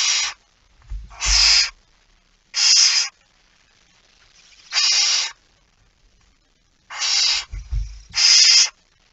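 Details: Barn owl at the nest, feeding, before sunrise on 19 September 2019: seven short hoarse hisses in irregular bursts, with low bumps of movement under some of them.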